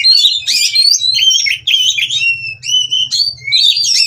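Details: Captive Oriental magpie-robins at a breeding farm, mating and stirring rivals to sing: loud, rich whistled phrases with sweeping and trilled notes high in pitch, delivered almost continuously with brief pauses, plus a faint low hum.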